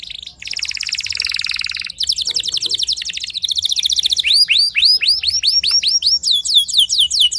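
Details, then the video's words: Early-morning training song of a Timbrado canary: a dense buzzing trill, then a fast rattle, followed by repeated arched whistled notes at a steady pace. "Canary Singing-Timbrado Thanh Yến Luyện Hót Sáng Sớm"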